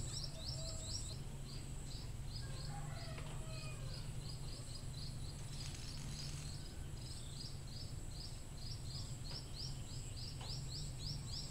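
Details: Scaly-breasted munia calling for luring birds: steady stream of short, high, slurred peeps, a few faint lower whistles midway, with a continuous high insect drone and low rumble beneath.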